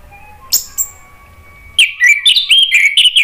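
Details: Lure song from a male orange-headed thrush answering spontaneously: two faint clicks, then a lively run of varied rapid whistled notes, fluty and jumbled.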